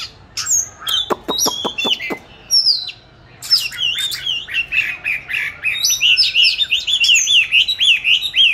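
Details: Caged oriental magpie-robin, hatched 29 July 2020, recorded 22 March 2021 in an ideal spot for song training; a series of sharp clicks, a short pause, then a lively stream of repeated looping whistles.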